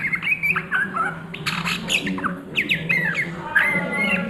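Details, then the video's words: Ngriwik song of an Oriental magpie-robin at midday: dense, fast chatter of harsh squawky notes and quick whistled slurs, with steep downward sweeps and a continuous low hum underneath. "SUARA KACER NGRIWIK DISIANG HARI"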